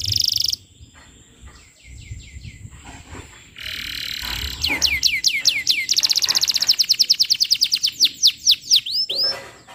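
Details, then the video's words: Lure song of a steadily singing canary for young canaries in training: a loud opening note, soft rattles, a buzzy roll, then a long accelerating trill of bright whistled notes ending in upslurred calls. "Suara Pancingan Kenari Gacor, Cocok Untuk Materan Paud Kenari"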